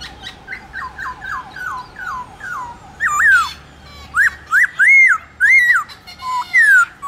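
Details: Black-throated laughingthrush, trained cage bird, singing its morning forest-style song: a run of short descending whistles, then loud arched whistled notes with chattery bursts.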